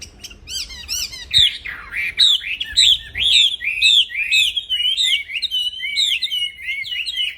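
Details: Black-throated laughingthrush, caged, singing loud uninterrupted phrases for songbird training: bright, looping whistled notes repeated rapidly, with harsher chattering and a few faint low thumps.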